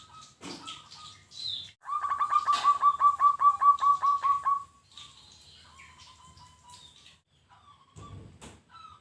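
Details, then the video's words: Zebra dove of local stock giving a quick run of about fourteen clipped, bubbling coo notes at an even pace, then soft scattered chirps and faint higher bird calls in the background. "Masteran wajib untuk burung perkutut lokal"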